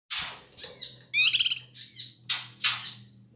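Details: Ashy tailorbird, a noisy male from Sumatra, calling to provoke other birds: loud, rasping, high chattering bursts, one a rapid stuttering trill, about six bursts separated by short gaps, with a faint low hum beneath.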